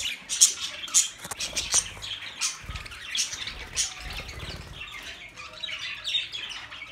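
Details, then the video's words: Budgerigars kept as pets, a flock chattering for lonely birds: dense high warbling chirps and squeaks overlapping throughout, with soft low thumps and wing-like rustles in the first half. "Budgie Sounds for lonely Birds"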